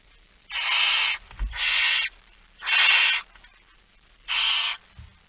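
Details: Begging barn owls during a 06:57 feeding on 13 September 2019 in the Netherlands; four long harsh hissing screams, near-regular, separated by short silences, with a soft thud between the first two.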